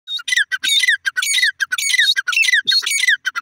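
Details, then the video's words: Francolin chicks, described as Iranian desi teetar: rapid harsh squawking calls with downward-sliding strokes, repeated in dense irregular bursts almost twice a second, with some higher thin notes among them. "irani desi teetar ke bache teeter awaaz"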